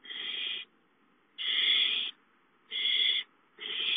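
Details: Owls in a nest on 5/5 around a gopher delivery at 8:53; long, rough hissed screeches of over half a second, repeated with pauses of under a second.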